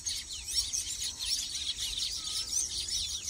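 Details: Baya weavers at their nests: a dense, continuous chatter of many overlapping high chirps and short buzzy notes, with a steady shrill insect-like hiss running underneath.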